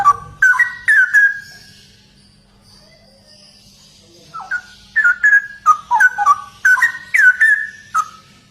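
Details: Straw-headed bulbul (cucak rowo) singing in the lively gacor ropel style: rich, bubbling whistled phrases that slur downward, given in two bursts separated by a pause of about two seconds, with a faint low hum beneath.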